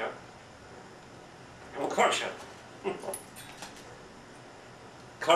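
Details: Female pet African grey parrot indoors, mumbling while eating and imitating male and female human voices; a few short speech-like bursts of mumbled syllables around the middle, then a sharper burst at the end, over quiet room hiss.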